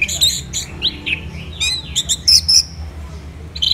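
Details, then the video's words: Captive Orange-headed thrush in full song, recorded in Indonesia: short bursts of bright, varied whistles and chirps with quick rising and falling slurs, separated by brief pauses, over a faint low hum. "ANIS MERAH Gacor dan Teleran Suaranya"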